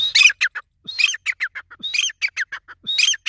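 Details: Grey francolin calling: harsh, squeaky high notes in rapid bursts, with a louder phrase repeated about once a second and shorter clipped notes between, over a quiet background.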